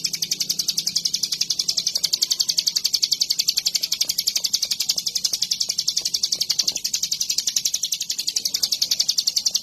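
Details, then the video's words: Hill prinia singing persistently while hopping and dancing about: a long, unbroken run of rapid, evenly spaced high buzzy notes, steady throughout, with faint low background hum. "Cigun / Ciblek Gunung‼️ Gacor dorr.. bunyi sambil joged joged"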